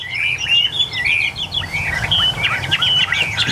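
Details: Caged Chinese hwamei among eight newly arrived birds in Vietnam giving a bright, varied phrase of sliding whistles and fast warbled notes, with a low hum behind.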